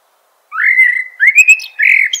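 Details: Eurasian blackbird singing: after a short silence, a mellow fluted whistle slides up and holds level, followed by a second warbled phrase with thin high squeaky notes and a final rich whistle, against a quiet background.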